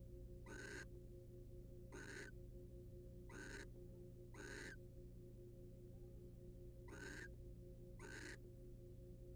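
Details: Barn owl pair, wild, in a monitored nest box during mutual preening by the male; six rough hissing screeches, mostly in pairs about 1.3 seconds apart, with an electrical hum throughout.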